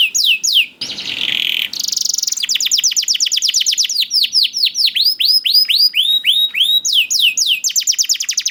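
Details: A young canary sings a fast, high, continuous song of rapid repeated notes, with downward sweeps, trills and a brief burst of scratchy, buzzy notes.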